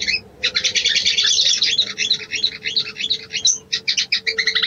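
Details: Sooty-headed bulbul female giving a mating call to attract a male: quick, steady stream of sharp high chirps and twitters with a faint low hum beneath.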